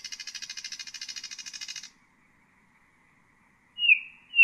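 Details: Nightingale singing to tutor chicks: nearly two seconds of fast, even, rattling buzz of rapidly repeated notes, silence, then two loud high swooping whistles.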